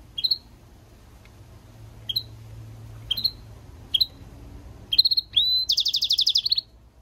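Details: Goldfinch × canary mule: sharp high chips spaced about a second apart, then a rising whistle and a rapid, rolling trill of some dozen notes.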